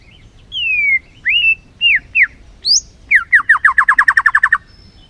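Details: Lure recording of white-rumped shama song meant to make lazy shamas sing: several smooth slurred whistles, a sudden high note, then a fast even trill of about fifteen downslurred notes over a quiet background.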